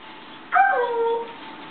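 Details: African grey parrot in a cheerful mood with morning energy on a kitchen table: one mid-pitched, whine-like call sliding downward over about three quarters of a second, over faint background hiss.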